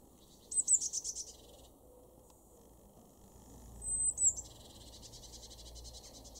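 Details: Eurasian blue tit in a garden in Weener, East Frisia, northwest Germany, February 2023, giving a quick burst of about six very high, thin notes, then a sharp high note running into a long buzzy churr over faint low hum.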